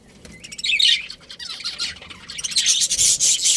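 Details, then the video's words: Budgerigars of a breeding pair in a colony chattering, with buzzy, raspy warbling that grows denser and louder toward the end. "Cute Budgies Chirping Sounds"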